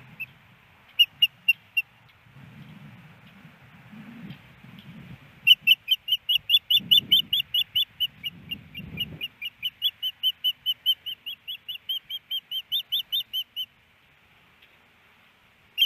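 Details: Female osprey on a nest in Hellgate Canyon, Missoula, Montana, April 28, 2019, after a snowy morning, calling for a fish from her mate: bursts of high, sharp whistled chirps, then a long rapid run, with low rumbling between.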